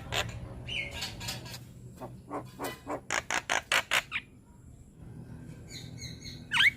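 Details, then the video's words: Singing young Javan myna bobbing its head, recorded as a tutor song for other mynas. A steady series of loud, evenly spaced harsh clicks is followed by a pause and thin whistles, over a noisy background. "Masteran Burung Jalak Kebo Muda Gacor Manggut - Manggut Jalak Kebo Lain Pasti Cepat Niru"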